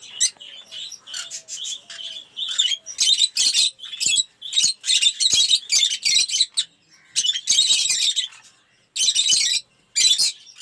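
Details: Lovebirds in an aviary collection of colour mutations, including Cinemon Opaline, Off Pallid and Blue Aqua Rosy, give a nearly continuous run of loud, harsh, shrill screeches in quick bursts, with brief pauses between volleys.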